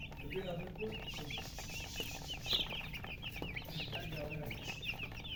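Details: Coloured baby chicks chirping with thirst for drinking water: a dense, continuous chorus of shrill downward-sliding peeps from several birds, steady throughout over a low background hum.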